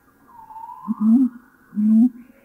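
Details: Mountain imperial pigeon in Thailand giving its deep whoomp whoomp call: two low, booming notes, each slightly rising and lasting about a third of a second. A faint, higher, descending whistle sounds just before them.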